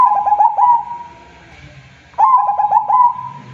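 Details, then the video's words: Actively singing local zebra dove: a trailing held coo, then after a pause a fresh phrase of rapid stuttering coo notes, all soft and mellow, over a faint low hum. "Suara Burung PERKUTUT Gacor"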